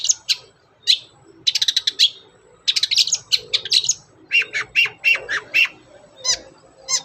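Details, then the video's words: Long-tailed shrike in lively 'gacor' song, meant as a lure for other shrikes: rapid, varied high chips and twittering phrases in quick bursts, shifting to a run of sharper whistled notes, then scattered single chirps. "SUARA BURUNG CENDET GACOR, PANCINGAN CENDET BAHAN AGAR CEPAT GACOR"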